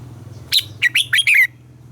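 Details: Red-whiskered bulbul, morning song meant to train captive bulbuls: a single fast phrase of five lively warbled whistled notes, the last one drawn out and falling, over a constant low electrical hum.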